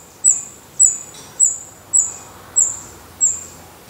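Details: In a nest in Portugal, black redstart chicks with open eyes and growing feathers utter single high, thin, drawn-out hissing begging notes, six of them at even intervals of about two-thirds of a second.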